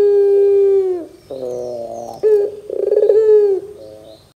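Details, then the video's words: ['Barbary dove call played to make young doves respond: a held coo, then a lower rough warble, a sharp short note, and a pulsing roll ending in a softer tail.'] "PANCINGAN PUTER GACOR DOR TERMEWAH 2024, WAJIB COBA, PUTER BAHAN MUDA PASTI NYAUT !!!"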